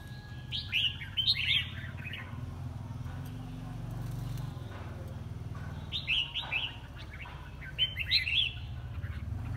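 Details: Competitive singing of a red-whiskered bulbul: two bursts of quick, bright warbled notes, each lasting about two seconds and several seconds apart, with a constant low hum and a faint rustle between them.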